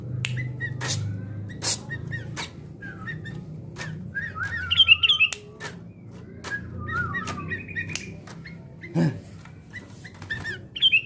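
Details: Sooty-headed bulbul being trained for fighting spirit: short bright chirps and slurred phrases, some doubled and rising, scattered over several seconds among sharp clicks, with a low hum beneath and a faint wavering whistle.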